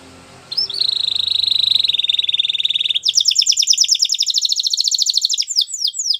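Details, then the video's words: Belgian canary in a training song: after a brief lead-in, a long steady buzzy trill, then a rapid ringing series of high notes and falling slurs at the close. "The Most Magical Canary Training Song | Belgian Canary"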